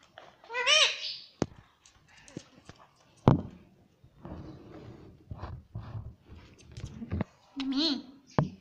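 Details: Indian ringneck parrot kept as a house pet that speaks "mummy" and "papa": a loud wavering harmonic utterance at the start and another near the end, with clicks, taps and low murmuring between.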